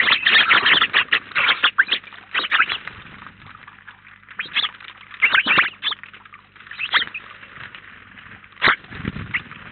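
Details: House sparrows crowding a feeder in Collado Villalba, Spain, some nineteen birds at a time; bursts of loud, rapid chirping, a dense run at first, then quieter scattered chirps and a few strong single notes.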